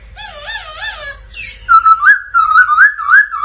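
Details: Black laughingthrush song for training and stimulating other birds: a wavering buzzy whistle, then a clear looping whistled phrase repeated about four times in quick succession.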